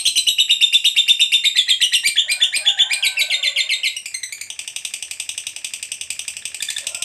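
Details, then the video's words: Lovebird of the fighter type giving a long 'ngekek panjang' trill, played as a lure to make other lovebirds answer: a dense, rapid, buzzy chatter of sharp high pulses running unbroken for seven seconds, slightly softer in the second half. "PANCINGAN SUARA BURUNG LOVEBIRD NGEKEK PANJANG"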